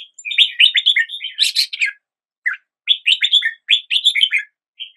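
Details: Red-whiskered bulbul singing at the start of the day: bursts of bright, warbled chirping notes in quick phrases, separated by short pauses, with no other clear sounds.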